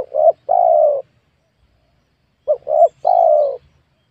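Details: Luring wild spotted doves in a young oil palm plantation on newly cleared land. Two mellow cooing phrases are heard, each a short clipped double note followed by one drawn-out lower coo, against a quiet background.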